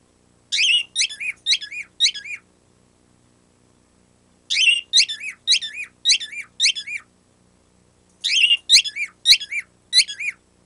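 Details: Pet bird producing a squeaky-toy-like noise on its own: three evenly spaced bursts of four to five shrill, bouncy squeaks each, with quiet gaps and a couple of faint clicks.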